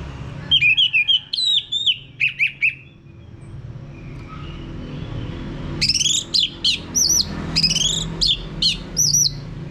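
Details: Orange-headed thrush singing, used to coax a male into full ngeplong song. Two bursts of rapid, varied whistled notes with a quiet hummy pause between them. The second burst is higher and more clipped.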